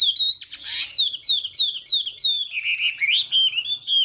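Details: Chinese hwamei giving morning song to train its voice and provoke singing: a run of clear whistled notes, each sliding down, repeated about three per second, then warbled rising phrases toward the end.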